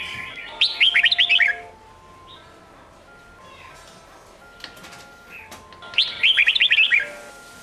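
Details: Red-whiskered bulbul, Sông Kôn singing style for training juveniles. Two matching, loud, rapid warbled phrases about five seconds apart, each made of quick descending whistles. Quiet between them apart from faint clicks and steady background tones.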